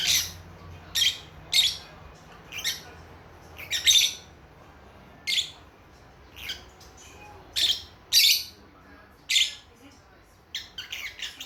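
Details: Young lovebird chicks a few months old conversing indoors: sharp, high chirps and short squawks spaced a second or two apart, irregular in rhythm, with a faint low hum early on.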